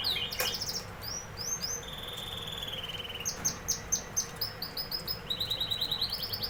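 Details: Canary song mixing a sharp sweeping note, a long steady whistled tour, then clipped high chips and a fast even trill rising toward the end, over faint hum.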